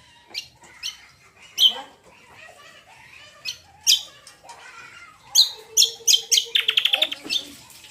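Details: Cucak kombo (greater green leafbird) lure song to make other birds answer: sharp scattered chirps building into quicker bursts and ending in a rapid rattling trill.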